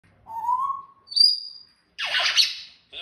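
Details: Talking parrot: a steady mid-pitched whistle, then a short high whistle, followed by a harsh, broad squawk-like burst and a brief final note.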